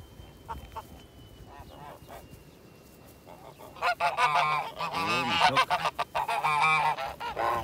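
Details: White Kholmogory gander, hatched in 2017, on a farm keeping ancient and purebred breeds, recorded 7 September 2019; faint calls for four seconds, then a loud, rapid series of harsh, nasal honks with uneven rhythm.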